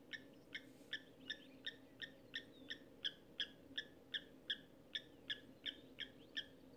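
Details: At a dam near Lower Sabie in Kruger National Park, a giant kingfisher eating its catch gives a long, steady series of hard, clipped kek notes, roughly three each second, with a constant murmur of background noise.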